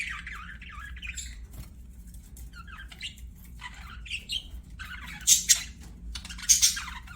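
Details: Budgies singing during play: soft, wavering warbled notes and little squeaks, quiet at first, then broken by two loud, raspy bursts near the end.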